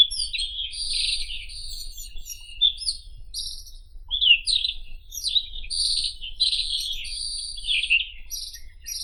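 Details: Song of a White-throated Robin (Irania gutturalis): scratchy, buzzy chattering phrases and sustained high drawn-out buzzes, delivered in fast bursts with brief gaps, against a quiet low background rumble.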